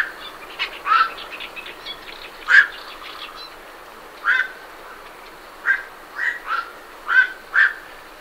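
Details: Several night herons leaving their roost give harsh, croaking quok calls, single or in quick pairs spaced a second or more apart, with a busy chattering of great reed warblers running underneath.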